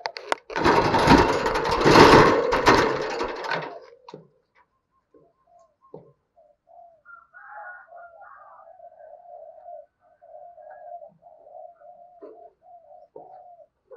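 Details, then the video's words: Decoy spotted dove giving rapid driving calls and coos to lure wild doves; a loud rushing, crackling noise fills the first four seconds, then low, soft, mellow coos follow in broken, repeated phrases. "Tiếng Chim Cu Mồi Thúc Và Gáy Gọi Bổi, Mở Lên Bổi Gáy Theo Và Nhanh Nổi"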